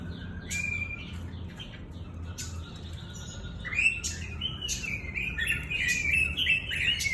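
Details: Pekin robin song starting with scattered chips and brief whistles, then a fast, rich warbling phrase of rising and falling whistled notes in the second half, with a constant low background hum.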